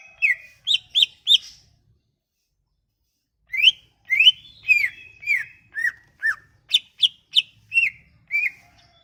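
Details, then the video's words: Sumatran leafbird song played as a lure for leafbirds: three quick whistled notes, a pause, then a varied series of rising and falling whistles and sharp higher chips. "Kicauan ini MAMPU memikat cucak ijo MACET bunyi"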